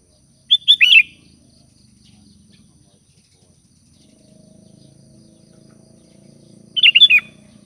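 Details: Sooty-headed bulbul calling to companions with two quick liquid phrases of warbled notes about six seconds apart, over a low murmuring background hum.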